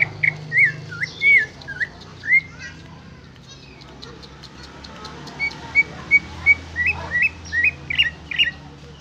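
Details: Greater green leafbird song opening with looping, wavy whistled phrases, then a pause and a run of short clipped whistles that turn into rising slurred notes; steady low background hum.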